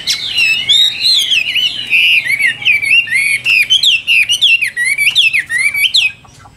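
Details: Loud, varied song from a caged Chinese hwamei, rolling whistled phrases sliding up and down, interspersed with fast chattering notes and sharp high accents, ending in a short quiet fade.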